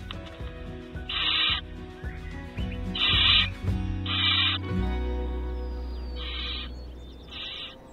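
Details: Three barn owl chicks in an elm stump nest, eight days apart in age with the eldest two weeks old, filmed in 2022, give harsh, rasping half-second hisses every second or two over soft music.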